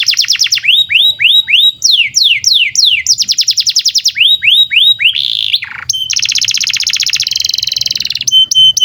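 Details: Canary singing a long varied song meant for tutoring young birds and silent canaries: repeated falling whistled sweeps, fast rattling trills, and a bright sustained buzzy rolling trill near the end.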